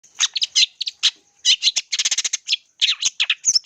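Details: Long-tailed shrike singing loudly as a lure to train other birds. Rapid bursts of scratchy, chattering notes in quick uneven runs, with brief pauses between groups and a faint steady high tone behind.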